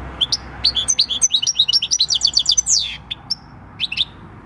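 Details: Wild-caught European goldfinch, a six-year-old field bird, singing its natural countryside song, recorded 26 December 2019: rapid tinkling, twittering notes and quick descending slurs at a lively pace, with brief pauses and a faint low background hum.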